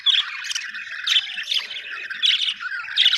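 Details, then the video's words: Budgie squawks and chirps: loud harsh squeaky notes about once a second, linked by softer rapid chatter, in a quiet setting. "Australian beautiful birds sound 😍 budgie chirping sound 🥰"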